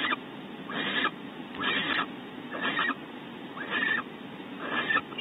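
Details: During a bonding visit at Audubon Starr Ranch, California, a male barn owl fetches prey for the female; five rasping hisses spaced about a second apart, some carrying a faint tonal edge, over low background hum.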